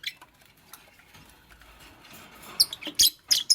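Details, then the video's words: Green Fischer's lovebird with a pastel companion, making a nest: faint rustling at first, then a burst of loud, high, shrill chirps crowded into the final second. "Lovebird Chirping Sounds"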